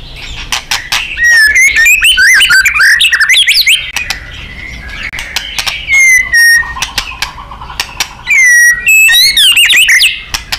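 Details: White-rumped shama song used as masteran to train contest birds, styled gacor and nembak: loud rolling warbles and fast trills, sustained whistles, rapid clicks, and recurring high sweeping phrases.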